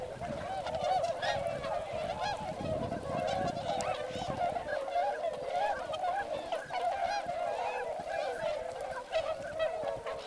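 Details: Huge mixed gathering of wintering swans and Northern Pintails at Motono, Inzai, Chiba, Japan, some walking in the neighbouring paddy or spreading wings; unbroken chorus of loud nasal honks from countless birds at once.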